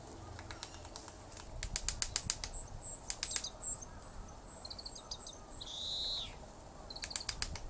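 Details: Japanese pygmy woodpecker (Picoides kizuki) drumming in quick dry bursts, with thin high chirps and a short buzzy, falling song call between the rattles; Tataranuma Park, Tatebayashi, Gunma, Japan, 16 February 2016.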